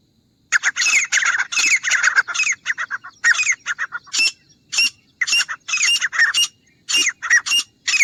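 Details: Grey francolin: a long, loud, harsh chattering run of shrill notes, dense at first, then breaking into spaced bursts and repeated phrases.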